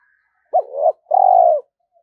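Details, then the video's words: Spotted dove using a trap-luring coo meant to bring a whole flock: a quick rising note, a wobbling coo, a short pause, then a long, even coo dropping slightly at the end. A faint high tone is heard before it. "Chim cu gáy gáy thúc & gáy gọi bổi rừng nghe về cả bầy"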